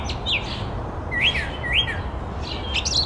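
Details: Brown thrush calling: short, sharp rising chirps sweeping upward, with two clear notes near the middle and higher squeaky notes at the end, over a steady low background rumble.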